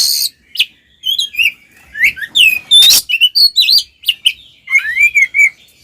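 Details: Oriental magpie-robin singing a fighting song used to provoke males: a rich mix of high slurred whistles, harsh raspy bursts and trills, ending with a wavering lower whistle.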